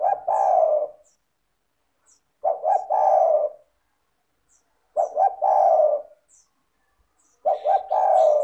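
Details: Steady spotted dove (tekukur) calling, used to encourage doves that seldom call: four husky coo phrases about every 2.5 seconds, each a stuttered opening note and a long low purr, with faint high chirps in the background.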